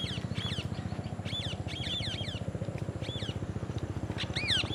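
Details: Parrots, one eating an apple, give many short high chattering calls in quick bursts, ending with a louder downward-sweeping squawk, above a steady pulsing low mechanical rumble.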